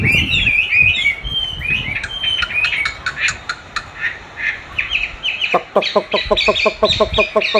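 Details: Chinese hwamei dueling with a recording of its own song used to train it: jumbled bright whistled notes and chatter, low thumps at the start, then a rapid regular run of sharp ticking notes with whistles over it.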